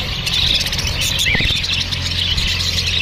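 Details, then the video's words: Several Australian parrots chirp to one another in a steady, high-pitched twittering chorus, with short squeaky notes and one brief rising-and-falling warble over a faint low hum. "See the way Australian parrots speak | They are chirping eachother"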